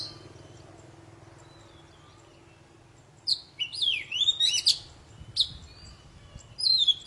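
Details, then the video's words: Poci song used to restart quiet birds, beginning after a near-silent stretch with a tangle of quick twisting whistles, then scattered high notes over faint low hum. "Suara burung poci super gacor"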